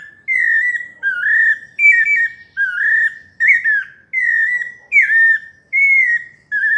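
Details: Sabiá parda paulista delivering its melodious whistled song: a string of clear notes, some doubled or wavering, others dropping in pitch, each under a second and closely spaced, over a quiet background.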